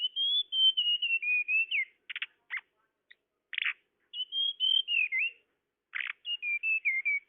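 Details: Tledekan whistles played to attract birds: two long phrases of clear gliding notes slowly stepping downward, with short harsh buzzy chips between and after them. Quiet background.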